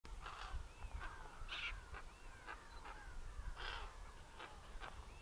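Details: Black-necked grebes at Startsapuk Tso lake, Ladakh, India, in August 2024, give thin, wavering whistles that rise and fall, mixed with harsh, scratchy bursts from other birds, over steady low wind rumble.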